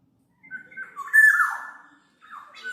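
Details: Black-naped oriole, kept as a tutor and lure sound: a thin level whistle leads into one loud, harsh, nasal note that slides downward, then a pause and the start of another.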